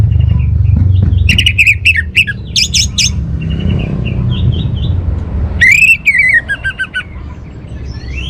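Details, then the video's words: An orange-headed thrush delivers bright, harmonic whistled phrases with quick up-and-down slurs, a softer stretch of faint notes, then another loud descending series, over low rumbling noise. "suara burung Anis Merah"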